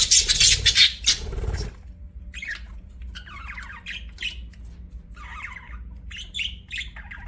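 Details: Budgerigar chirping, opening with loud harsh squawks, then a quieter run of short warbling chirps and twittery phrases repeated about three times a second, with brief gaps between bursts.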